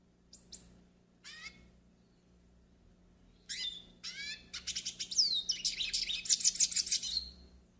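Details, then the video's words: Pairing and warm-up song of a Yellow-faced siskin: a few isolated high chirps, then a quickening, loud stream of trilled and buzzy notes with whistled slides, repeated rapidly. "CANTO PARA ENCARTE E ESQUENTA PINTASSILGO DO NORDESTE"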